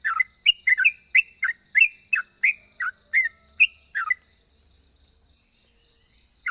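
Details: Sooty-headed bulbul in full song that sets other bulbuls answering: about a dozen short, slurred whistled notes, each dipping in pitch, delivered in an uneven rhythm over four seconds before falling quiet.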